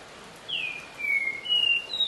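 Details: A Green-winged saltator (Saltator similis) sings at 12:30 pm on 24 October 2020: clear, high whistles, a downslurred opening note, then sustained level and gently rising whistled notes, over a soft background hiss.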